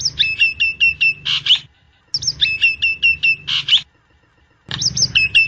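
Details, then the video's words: Nias hill myna singing, offered as master material or for luring: a rapid series of high, hooked whistles ending in a harsh rasp, repeated twice with short silent gaps. "Kicau Burung Jalak Nias Jika Ingin Di Buat Masteran Atau Mikat"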